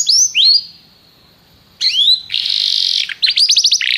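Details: Canary giving a few high rising-falling whistled notes, a pause, then a sharp slurred note, a harsh buzzy trill and a quick burst of descending chirps.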